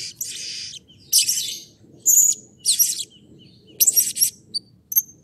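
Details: Blue-crowned hanging parrot in an excited calling bout, meant to stimulate other birds to call: long shrill rasping bursts followed by short piercing squeaks and thin whistled notes, over a faint low background hum.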